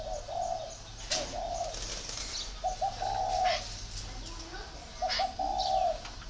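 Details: Spotted dove kept in northern Vietnam, voice described as 'very taut'. Quick paired lead-in notes are each followed by a longer resonant coo, repeating three times, with sharp knocks and a background hum.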